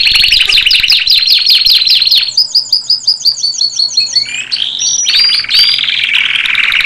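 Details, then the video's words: Canary delivering rapid chattering notes, a neat series of high downslurred chips, a swooping whistle, then rich rolled trills. "When the canary bird sings عندما يغرد طائر الكنارى"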